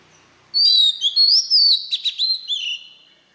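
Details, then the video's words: Wild-voiced Oriental magpie-robin song for stimulating newly caught birds: smooth whistles rising and falling, a quick cluster of sharp chips in the middle, closing with a descending slurred whistle. "Chòe Than hót Giọng chuẩn | chăm sóc chim hót | Chích Choè Than giọng rừng kích bổi"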